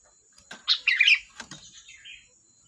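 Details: Sooty-headed bulbul, the kutilang, giving one short lively burst of bubbly, chattering warbles followed by a brief lower whistled tail, with faint clicks and a steady high hiss behind.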